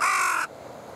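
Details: Wild carrion crow at the Oita River feeding ground, October 15 at 8:12: a single loud, raspy caw lasting about half a second, then quiet.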